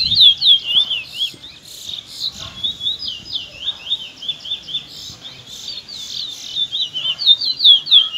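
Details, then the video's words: Afternoon song of young Trinidad bullfinches, two birds: a loud, fast, continuous warble of high looping whistled notes, rolling and sweeping in quick rhythmic bursts, with faint background noise. "RUDY AND SMARTMAN afternoon close shy (trinidad bullfinch)"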